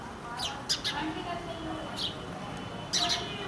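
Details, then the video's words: Indian house sparrow in India, uttering short bright chirps in small clusters at the start and end, with a low background murmur between them. "Sounds of Indian Sparrow"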